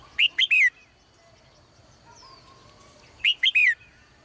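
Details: In a cage at morning, a female bird repeats a quick three-note whistled phrase twice, about three seconds apart, notes sliding downward at the end, faint thin whistles between.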